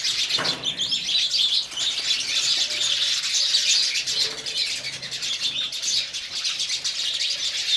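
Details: Flock of house sparrows calling while drinking water: a continuous thick chatter of bright, rapid chirps with scarcely a pause, a brief soft thump near the start.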